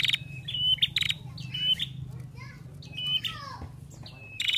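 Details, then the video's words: Female prinia chattering: high, sharp chirps and short whistled notes in irregular bursts over a steady low background rumble. "Prenjak Betina Gacor"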